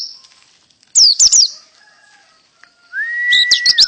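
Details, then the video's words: Canary in pleci-style tembakan song. Quiet high notes give way to a burst of shrill, sweeping chips. After a near-silent gap, a long, even whistle rises in, overlaid by rapid high-pitched trilling. "Pleci Full Tembakan kenari canary"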